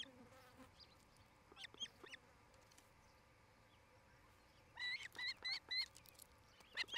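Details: Osprey at a nest in Charlo, Montana, recorded by a nest camera on 8 July 2018 between 17:00 and 18:00: scattered faint notes over a hissing background, then five clear, evenly spaced whistled chirps and a final burst.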